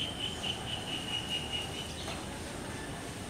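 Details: A white-breasted woodpecker climbing a coconut tree in Kerala, pausing to peck the bark, gives a quick run of about seven short, high, even notes, four or five a second, then stops, over a thin insect hum and hiss.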